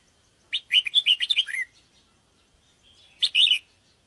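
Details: Luring call of a sooty-headed bulbul: a long rapid phrase of around ten chirpy notes ending in a falling note, followed by a shorter bubbly phrase.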